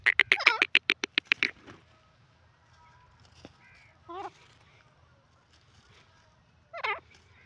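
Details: Grey francolin, locally called teetar, calling: a fast run of loud, harsh, repeated notes in the first second and a half, then a few short, separate rising calls after long quiet gaps.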